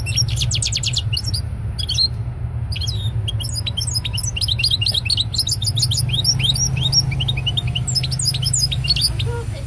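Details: European goldfinch singing a rapid, busy twittering song of high tinkling notes and short buzzy trills, continuous for most of the clip, over a steady low hum.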